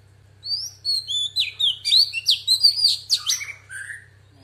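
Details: Female Oriental magpie-robin singing in the wild-voice style, used to stir males into singing: a rapid, varied run of clear whistled notes and sweeping slurs with sharp chips, ending on lower warbled phrases, over a steady low hum.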